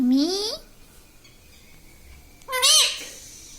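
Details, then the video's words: A pet parrot imitates "Mummy": a low, rising, harmonic syllable at the start, a long quiet gap, then a higher, warbling, nasal syllable, with faint room noise throughout. "Parrot talking video Mummy"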